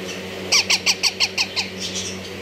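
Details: Yellow Indian ringneck parakeet giving a series of seven harsh, loud squawks about every sixth of a second, each with a short falling tone, followed by softer fading calls, with a low steady hum in the background.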